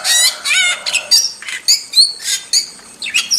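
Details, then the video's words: Starling song from a wild bird: two harsh, nasal, buzzy squawks open, then a string of thin whistles, clicks and scratchy chirps at uneven intervals. "Masteran Jalak Super Gacor – Ultimate Wild Starling Sound Effect"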